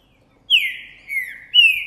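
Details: Trinca Ferro Boi green-winged saltator, male in strong January 2024 song after sighting a female: three clear whistled notes, the first long and falling, then a lower dip, then a higher steady whistle.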